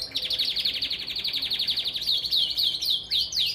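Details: Canary singing to prepare females for mating: a fast, even trill of high chirps repeated about four per second, turning near the end into louder, separate downward-swept whistled notes.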